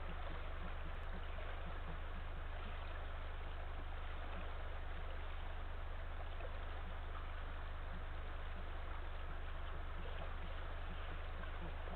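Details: Steady low rumbling hum with a watery, gurgling wash of broadband noise and no animal calls.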